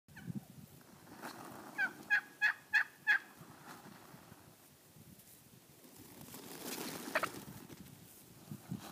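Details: A wild turkey tom in a Montana backyard, from a morning flock of about 30 strutting in mating season, gives one quick gobble of about five rapid, gurgling notes, followed by soft rustling.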